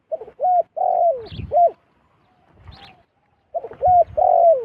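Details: Zebra dove calling: a run of soft, rolling cooing notes, some rising then sliding down, in two bursts with a quiet gap and faint rustling between.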